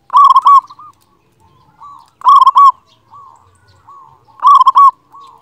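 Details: Local zebra dove, a loud, lively singer used as a master recording to prompt quiet captive doves to sing, repeating a loud, rolling, throaty coo phrase about every two seconds. Softer trailing coos follow each phrase, and the loudest parts sound distorted.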